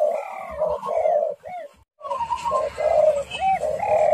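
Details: Spotted dove cooing as a lure to provoke a rival. Deep, mellow coos come in quick runs, with a short silent break near the middle and a few higher, thinner calls from other birds over them.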